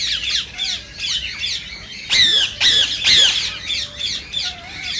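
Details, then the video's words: Indian rose-ringed parakeet sounds meant to prompt other parakeets to sing and mate: a fast run of rasping chatter, then three loud piercing screeches close together, followed by softer chattering notes. "صوت ببغاء الدرة الخضراء"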